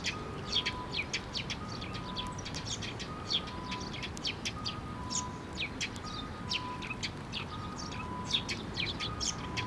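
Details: A flock of sparrows visiting a shrine feeding perch for food, 6 May 2023: steady stream of overlapping brief chirps from many birds, over a low noisy hum.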